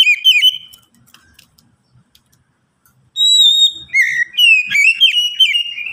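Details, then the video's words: White-rumped shama song used to prompt other shamas to sing: loud whistled phrases with rich harmonics, a pause, then a long run of varied rising and falling whistles and chatters. "Pancingan Kacer agar cepat bunyi super ampuh"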